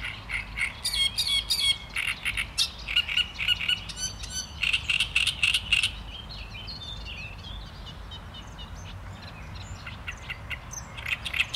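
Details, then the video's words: Great reed warbler in full song, harsh croaking and chattering phrases repeated rapidly for about six seconds, then softer, more distant chatter continuing with faint background noise. "Trzciniak i jego śpiew"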